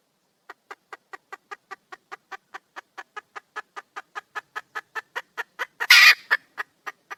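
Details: Wild red junglefowl hen calling for a mate, producing a long steady train of short clucks around three per second, with one loud rasping squawk near the end.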